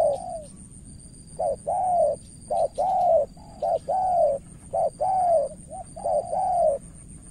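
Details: Spotted dove from Cà Mau, Vietnam, a decoy bird facing a seasoned rival: paired cooing phrases, a short note then a longer arched, slightly falling coo, repeated about once a second, with a faint steady high whine behind.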